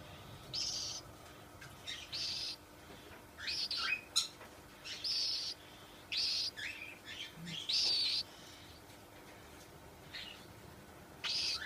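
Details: Cockatiel calling: a series of short, high chirps and whistled notes separated by brief pauses over about twelve seconds, with a faint background hiss.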